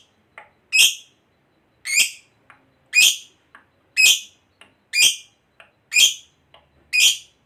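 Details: Fighter lovebird calling with loud, rasping chirps about once a second, each preceded by a soft short click-like note, in a quiet setting.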